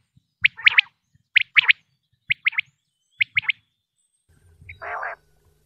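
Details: Common quail call, male and female quail sounds used by hunters as a lure: crisp three-note bursts, sharp and high, repeated about once a second, then a lower, raspy burst near the end.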